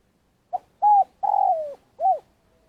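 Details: Spotted dove serving as a trapping lure in Vietnam gives one long-call phrase: a quick note, a flat hoot, a drawn-out coo sagging in pitch, and a rounded closing hoot, then quiet.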